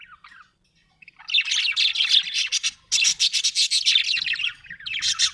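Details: Happy budgerigar chirping in a rapid, scratchy warble of clicks and buzzy notes, pulsing about four times a second in loud bursts after a short pause.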